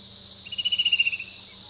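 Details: Fan-tailed cuckoo (Cacomantis flabelliformis) delivering a single short descending trill of fast pulsed notes, under a second long, against a constant high-pitched insect buzz.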